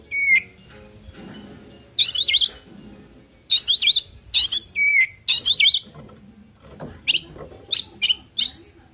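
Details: Fill-rich song of a male oriental magpie-robin used to call opponents: an opening flat whistle, then three grating rasping bursts, one more clear whistle, and a final run of short sharp chirps.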